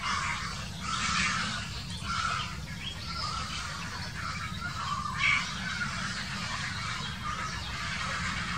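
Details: Quarrelling grey herons, 2018. Scattered rasping, croaking calls come in separate bursts, with a sharper squawk about two-thirds through, set against constant low-pitched wind-like background noise.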